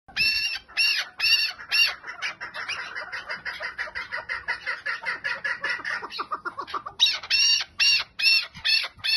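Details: Chukar partridge giving a 'lal' style call: loud, harsh chuk notes repeated in bursts, then a softer, faster run of clipped notes, and then loud spaced bursts again.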